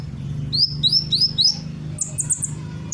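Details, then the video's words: Energetic sunbird song with borrowed calls of other birds: four rising-then-falling high whistles in quick succession, followed by a rapid, buzzy high chatter, over a low background hum. "Burung Kolibri gacor, menirukan berbagai suara burung"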